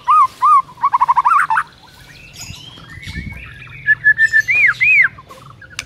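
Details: White-rumped shama song played to prompt a silent bird to sing: repeated looping whistles and quick chatter, a quiet gap, then varied whistled phrases ending in arched notes.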